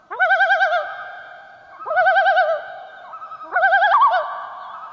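A loon gives three quavering, wavering calls, each under a second and about two seconds apart, with a rapid, yodel-like trill and an eerie tone.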